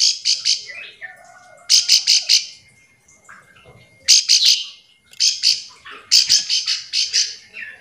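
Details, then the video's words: Bar-winged prinia calling to companions, a call used to lure other prinias into answering, gives harsh, buzzy, high-pitched notes in quick bursts of four to six, with brief pauses between bursts. "Ciblek sawah memanggil teman"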